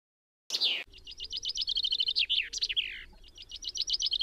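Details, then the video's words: A common chaffinch sings bright, fast series of repeated high notes that break into quick descending phrases, then starts a new trill. "Canto do Tentilhão, Tentilhão-comum"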